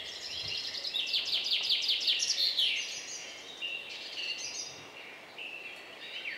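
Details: Song thrush at a nest about 10 m up where parents feed four young; strong run of rapidly repeated sharp notes, then softer whistled phrases and a falling slur, over faint steady hiss.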